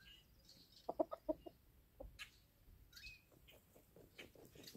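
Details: Chickens clucking quietly while dust bathing on a homestead farm in spring: a quick run of six or so short, low clucks, followed by fainter clucks and scattered high chirps of wild birds in the background.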